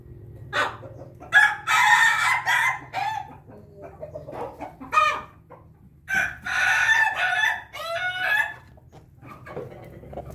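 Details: Bangkok rooster crowing after drinking, the crow likened to laughter: several harsh crowing bursts and clucks spaced through the clip, over steady low hum.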